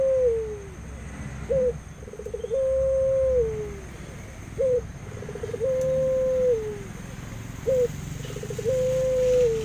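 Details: Aviary Barbary dove repeating its coo about every three seconds: a brief rising note, quick soft stuttered beats, then a long drawn level coo that slides down at the end.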